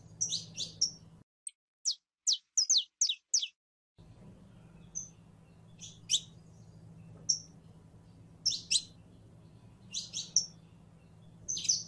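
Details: Female canary in heat calling to a male to mate: a fast burst of thin chirps in near silence, then well-spaced sharp double chirps over a low hum.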